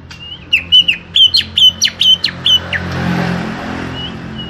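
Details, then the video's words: Greater green leafbird, small-bodied, delivering a rapid string of about ten loud, piercing, clipped whistled notes at an even pace, then falling quiet apart from a faint hum. "Setting Cucak Hijau Body Kecil"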